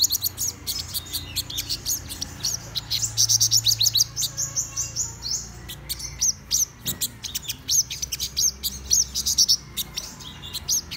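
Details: Black-throated sunbird singing in the morning: high, thin twittering of rapid bursts of sharp chips and trills, delivered almost continuously with a faint low background hum.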